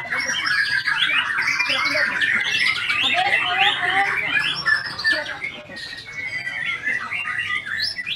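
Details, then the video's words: White-rumped shama singing steadily: jerky chattering phrases mixed with short whistles and harsher squawky notes, repeated in quick succession. "IN ACTION MURAI BATU SAKTI"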